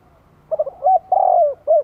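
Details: Decoy spotted dove from Vietnam calling to attract wild birds: a single mellow coo phrase with quick opening notes, a drawn-out falling middle coo and a short closing note, with faint low background hum.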